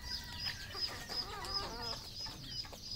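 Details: Red junglefowl at a farm in Cambodia, high thin peeps repeated roughly twice a second above a mix of lower clucks and short rattling notes from the flock.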